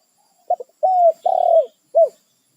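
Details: Territorial wild spotted dove summoning its companions: one full low phrase of a stuttered double pip, a smooth descending coo, a long buzzy pulsing coo and a short rounded ending.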